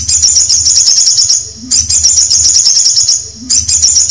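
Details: Canary producing long, fast, high-pitched trilled phrases, each about one and a half seconds, separated by brief near-silent breaks.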